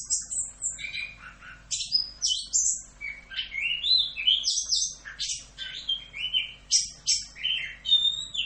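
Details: Masteran song of a chestnut-capped thrush (anis kembang), full Rock'n Roll style: a fast, continuous stream of sharp chirps, rising and falling whistles and trills, notes changing almost every moment.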